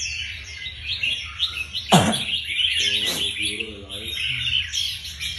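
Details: Caged red-whiskered bulbuls training for a group singing contest: a dense chorus of bright, chirpy, overlapping phrases, broken by a loud thump near two seconds and low human voices soon after.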